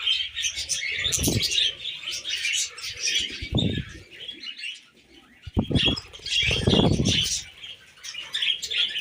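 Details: Pet budgerigars, tamed, chirp and twitter in shrill bursts. Several loud low fluttering or thumping sounds break in, likely wings or movement, and the chatter dips briefly in the middle.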